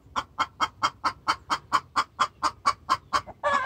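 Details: Distress calling from a hen to a rooster. Very even series of clipped, nasal clucks, roughly two per second, ending in a rough drawn-out squawk.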